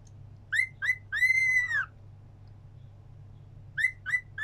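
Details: Cockatiel singing along, giving two short rising whistles then a long arched whistle, a pause, and two more quick whistles; low steady hum in the background.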